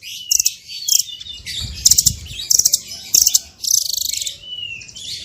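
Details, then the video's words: Small bird in full 'tembakan' masteran song: rapid, bright chattering bursts at very high pitch, coming in quick groups roughly every half second, ending in a short, even rattle. "MASTERAN BURUNG KECIL FULL TEMBAKAN VARIASI MEWAH"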